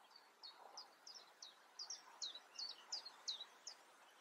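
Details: European crested tit, probably filmed near the Eifel, giving thin, high, slurred notes, about three a second, some doubled, over faint background hiss.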